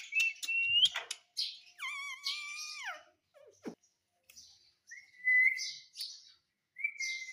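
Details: Indian ringneck parakeet that talks in Hindi, saying "mummy" and "mitthu"; a rising whistle, then a drawn-out harmonic, voice-like phrase falling in pitch, a sharp click, and two steady whistled notes.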